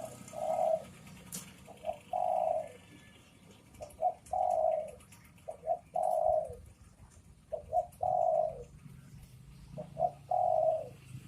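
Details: Spotted dove, male and female, cooing: a repeated phrase of two short notes and a longer drawn-out coo, given about every two seconds, over a low background hum.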